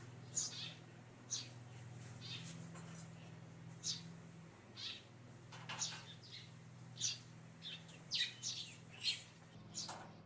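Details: Eurasian tree sparrow chirping from cover, a run of brief high tweets at irregular intervals, sometimes doubled or in quick clusters, with a continuous low hum underneath.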